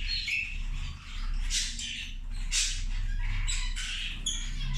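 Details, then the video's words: Several zebra finches feeding give harsh nasal squeaks and buzzes in irregular clusters, punctuated by a few brighter upward-sliding notes over a steady low hum. "Australijske zebe ručak"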